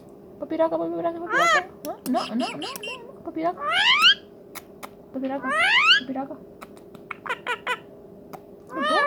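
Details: Tame talking rose-ringed parakeet indoors, producing rising warbled whistles and cat-like mewing sweeps interspersed with squeaky chatter and clicks, in repeated bursts.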